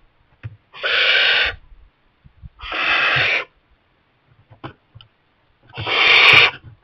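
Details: Young barn owl settled in a kestrel nest box while its parents keep delivering mice: three harsh, breathy hissing screeches, each under a second, spaced about two seconds apart, with faint clicks between.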